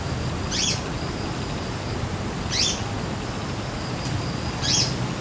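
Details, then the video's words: A wild male brown-throated sunbird, feeding on nectar in a flowering jambu tree, gives three brief, sharp, high chips about two seconds apart over a steady low rumble. "Kolibri Kelapa Jantan Gacor"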